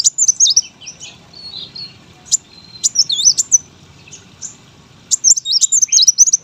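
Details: A brown-throated sunbird kept for song contests delivers high twisting whistles and thin chips in uneven bursts. A quieter stretch in the middle is followed by a lively run of looping notes at the end.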